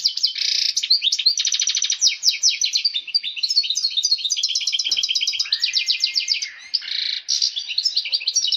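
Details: Male European goldfinch in excited breeding song, mixed with female calls, used to stimulate pairing and early breeding: a fast, continuous tinkling jumble of high twitters, trills and buzzy rattles with hardly a pause.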